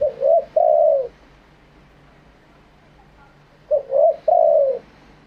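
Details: Spotted dove giving wild-style cooing, delivered live. Two identical phrases, each two quick soft notes and a long mellow coo that dips at the end, are separated by about three seconds of quiet.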